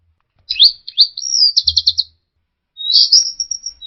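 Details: Lure recording of orange-headed thrush song meant to make a stressed bird that has stopped singing start again; high rising whistles, a sharp trill of quick repeated notes, silence, then a slurred whistled phrase.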